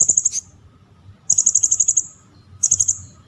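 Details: Cililin song used as masteran training audio for competition songbirds: three bursts of very high, sharp, rapidly repeated bright notes, the middle burst longest at about eight notes, over a faint low background hum.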